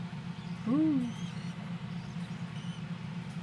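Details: A captive-bred tropical (Spix's) screech owl from a brood hatched in early July gives one short, low, hooting note that rises then falls, over a steady low hum with faint high peeps.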